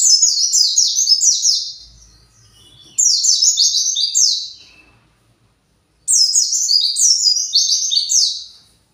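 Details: Three long high chattering bursts from an agitated caged white-eye searching for its flock, each a fast run of sharp descending buzzy notes, separated by short quiet pauses.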